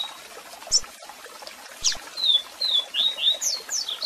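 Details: Double-collared seedeater giving strong song with calls over waterfall sound for song training; sharp upslurred chirps lead into a run of clear downslurred whistles and rising sweeps, repeated rhythmically above steady water noise.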